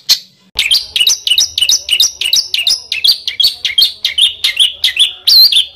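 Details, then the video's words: Master recording of songbird singing, made for training competition birds: a fast series of sharp, whistled notes, each dropping from high to mid pitch, repeated about three times a second for the whole stretch. "SUARA BURUNG MASTERAN BURUNG LOMBA"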